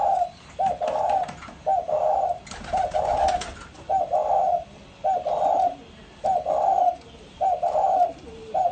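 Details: Pha kim voice style song of a spotted dove: steady low coos in regular two-part phrases, a brief lead-in note then a drawn-out hoot, repeated roughly every second over eight seconds, with faint rustling clicks behind.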